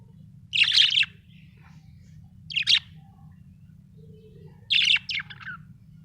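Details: Happy budgerigar chirping in three short, scratchy bursts spaced roughly two seconds apart, each buzzy and high, the last one followed by a quick double note, over a steady low hum.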